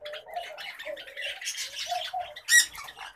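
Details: Caged pet common babblers give a busy stream of squeaky, nasal chattering notes, with one sharp, louder high squeak near the end.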